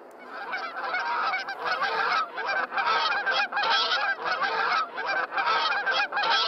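Geese honking in a harsh, nasal clamour: loud bursts tumble over each other several times a second with barely a pause, as if from a flock.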